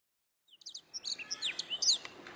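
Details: Canary training song: after a short silence, a quieter run of high, quick chirps and thin whistled slurs, rising and falling in pitch.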